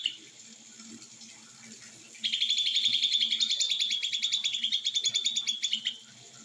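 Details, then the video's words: Leafbird delivering a nearly four-second stretch of quick, repeated high chirping notes, steady in pitch and pulsing about three to four per second, over a soft high-pitched background hiss. "ijo mini Konslet"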